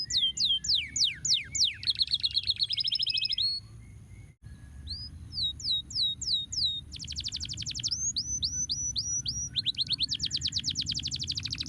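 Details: Stimulating canary song for idle birds: swooping downslurs and a buzzy rattle, a short pause, then upslurred whistles and long dense trills, over continuous low-pitched noise.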